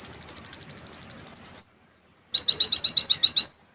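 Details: Olive-backed sunbird, caged, singing a steady, very high, fine trill of about twenty notes. After a short silence comes a run of eight or nine louder, sharp, evenly spaced chips at a lower pitch.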